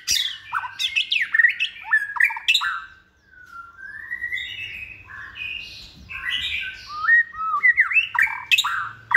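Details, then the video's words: Captive White-rumped shama, raised by hand from a nestling, second season, described as multi-voiced and bold at cage contests. It pours out varied whistles, clicks and slurred phrases, pausing briefly midway before resuming rapid notes. "chòe lửa dáng sẻ, hót cực bền nết chuẩn đấu giàn"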